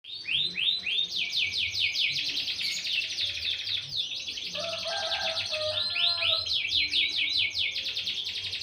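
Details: Canary from a village breeder's aviary, a bird trained for field song contests, delivering long rapid rolling trills of repeated high chirps, sweeping notes in fast series, with a brief lower warbled passage midway.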